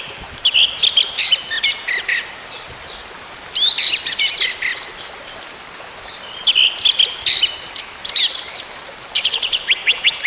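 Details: An orange-headed thrush sings in long, rapid bursts of high chirps and twittering notes with short pauses. The recording serves as therapy for a bird that has stopped singing.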